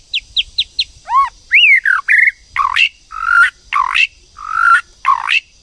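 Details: Female white-rumped shama calling to rouse a male into song: four quick high chips, then looping whistles, then a series of harsh, buzzy, drawn-out notes repeated about twice a second.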